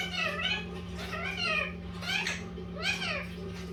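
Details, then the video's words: Pet Indian ringneck parakeet (rose-ringed parakeet), a green-yellow mutation, talking indoors: a run of squeaky, speech-like phrases with rising and falling tones over a steady low electrical hum. "Indian ring neck parrot talking"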